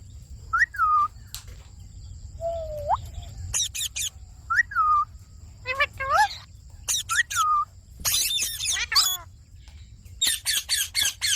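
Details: Indian ringneck parakeet repeating a short whistled phrase that rises then drops, several times, plus one low drawn-out rising whistle, scratchy chatter, and a closing series of sharp high notes.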